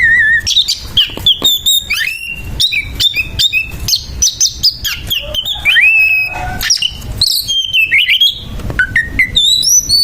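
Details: Oriental magpie-robin in a harsh fighting bout, singing a rapid jumble of clear whistled notes, slurred rising and falling phrases and sharp chips, with short breaks and almost no pause over ten seconds.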